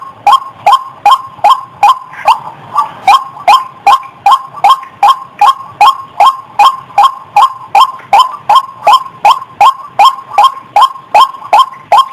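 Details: White-breasted waterhen calling vigorously, recorded as a clear lure call: some thirty loud, croaking notes in an unbroken, regular series, roughly two and a half per second, with a brief soft hiss early on.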